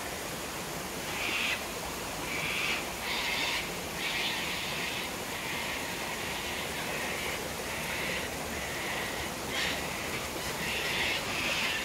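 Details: Sunset drink for cockatoos at Tanninaba Falls, Springbrook, 19 May 2024: scattered rough screeches every second or two, partly buried in the constant hiss of the waterfall.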